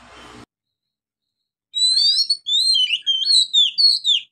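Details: Oriental magpie-robin singing gacor ngeplong song in Indonesia: after a brief noisy start and silence, a rapid run of high whistled and warbled notes, many falling or rising slurs, delivered in quick succession.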